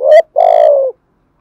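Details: Spotted dove in a decoy-provoking call of the thổ sấm style: a short loud hollow coo, then a longer, steady, deep coo that drops slightly at its end, with clean silence after.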